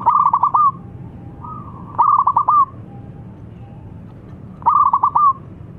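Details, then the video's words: Zebra dove song that provokes rival doves to reply: three loud phrases of rapid bubbling staccato coos, each under a second, spaced about two to three seconds apart, faint doves between them. "Si Paling Bikin Emosi Lawan Perkutut Manapun Langsung Nyaut Setiap Dengar Bunyinya"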